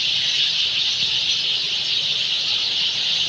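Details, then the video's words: Sind sparrows in their nests in trees at evening as the day ends, a dense, unbroken wall of high chirping from many birds at once, steady throughout with no pauses. "Sparrows In their nests ||the day is over||Night is to begin||Chirping Sounds ||Sind Sparrow||"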